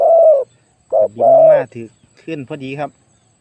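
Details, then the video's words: Spotted dove, a captive decoy bird used in Thai dove trapping, with a notably big voice. It gives a long, low, hollow coo, a pause, then a short coo and a drawn-out coo, followed by a person speaking. "ต่อนกเขาใหญ่เจ้าสุดสาครแต้มที่ 49เฉลยเสียงใหญ่มาก"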